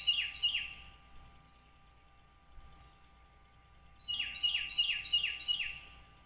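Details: Wild American bald eagles calling at their nest on Dale Hollow Lake, a reservoir on the Kentucky-Tennessee state line, captured by a nest camera on 09.04.2023 at 08:29. High, thin, down-slurred piping notes come in two quick chattering bursts, with a steady low hum behind.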